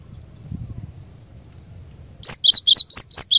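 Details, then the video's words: Cinereous tit, a lure song for training caged birds. After two seconds of low background murmur, six bright, high, evenly spaced notes ring out in quick succession. "Burung Glatik Batu Pikat Gacor"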